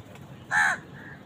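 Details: A single short, hoarse, nasal caw from a crow fighting with wild birds over food, against quiet background noise.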